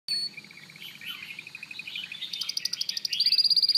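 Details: Canary singing a varied song of warbled phrases, shifting into a fast, evenly repeated high trill that quickens toward the end, sounding like rapid bright tinkling notes.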